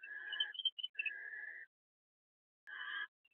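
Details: Barn owls at a nest box in the evening, the male bringing food to the roosting female shortly before seven eggs hatch: harsh, raspy, hissing bursts about half a second to a second long, separated by silence.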